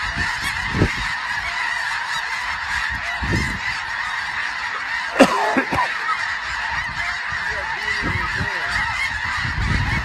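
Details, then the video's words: Snow geese calling as a group, a dense, continuous chorus of nasal honks filling the air, with a few louder, sharper honks standing out, one loudest near the middle, over a steady background murmur. "Snow Geese"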